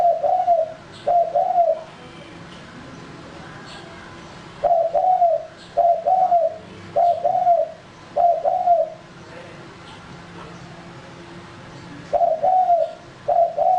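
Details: Male spotted dove kept for luring wild birds, cooing in paired phrases: each a short soft note followed by a longer mellow coo, repeated in irregular bursts with pauses of a few seconds between them.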